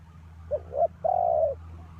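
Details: Spotted dove used as a ground decoy for trapping. A single cooing phrase: two short hollow notes, then one longer, steady coo. Low hum sits in the background.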